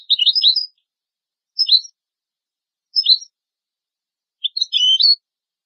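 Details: European goldfinch recording for tutoring goldfinch and hybrid chicks: four separate short bursts of high, twittering chirps spaced about one to one and a half seconds apart, the last burst longest, with quiet between.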